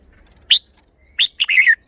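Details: Red-whiskered bulbul kept as a caged songbird in Thailand, singing a short showcase phrase: a single sharp note, a pause, then a fast bubbling, descending warble.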